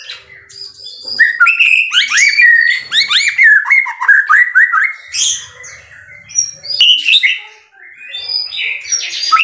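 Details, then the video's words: Energetic white-rumped shama masteran song: a fast, varied stream of whistles, slurred upsweeps, harsh squawky notes and high chips, changing phrases every second or two. Faint low rustling underneath. "MASTERAN MURAI BATU SUPER GACOR"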